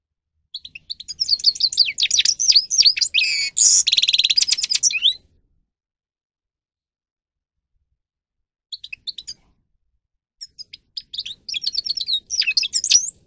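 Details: Grey-crowned goldfinch song used to train and stimulate birds to sing: bursts of rapid, twittering, high metallic notes with buzzy trills, then a long silence before scattered chirps and a renewed twittering phrase.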